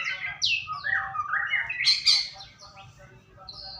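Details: White-rumped shama lure song meant to prompt a bird to sing: loud, rich whistled phrases sweeping up and down, with sharp high notes near the middle, then fading to softer, thinner whistles.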